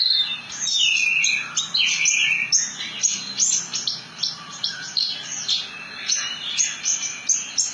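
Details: Javan bush lark, locally branjangan, delivering a long rolling song: rapid high chirps, whistled slurs and buzzy trills in a steady stream of bursts.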